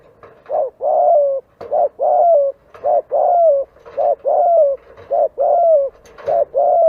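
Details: Spotted dove heard in a lure recording, cooing rapidly in paired notes: a short rounded coo followed by a longer gently falling coo, repeated steadily about once a second, with slight background hiss.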